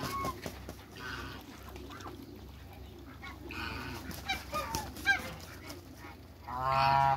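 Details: Domestic African and Toulouse geese in a backyard giving scattered harsh honks, with a louder nasal honk near the end over steady low background hum.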